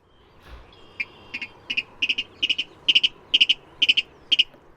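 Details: Virginia rail (Rallus limicola) ticket call from a marsh with emergent vegetation: sharp clicking ticket notes, single then quick doubles and triples, irregularly spaced like a broken turn signal.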